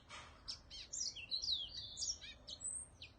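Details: Whitetip, a cage bird, singing a quick, high twittering song of sharp up-and-down notes and thin whistles, about two phrases a second, with a faint low hum behind.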